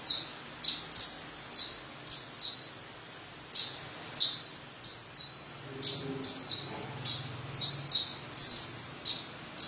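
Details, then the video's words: Van Hasselt's sunbird gives sharp, very high chipping notes, about two a second, in an uneven run, with a faint low murmur in the background. "Kolibri Ninja Dada Merah Gacor"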